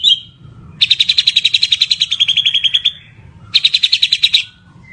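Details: White-rumped shama delivering long rapid trills of sharp repeated notes, one lasting about two seconds, then another shorter burst after a pause.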